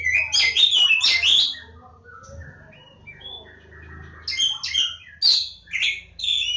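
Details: Oriental magpie-robin of the Javan form (kacer Jawa), Lebakgowah, opening with a dense loud flurry of chattering whistles, then soft sparse notes, then renewed bright whistled phrases, with a low hum beneath.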